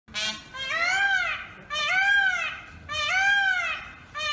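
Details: An Indian peafowl at a home gives three loud, nasal, wailing calls, each rising then falling, repeated about every second and a half.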